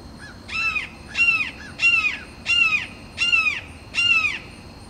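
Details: Red-shouldered hawk perched and making territorial calls with rival hawks: a series of six loud, down-slurred screaming notes, each about a third of a second long, repeated roughly every 0.7 seconds over faint background hiss.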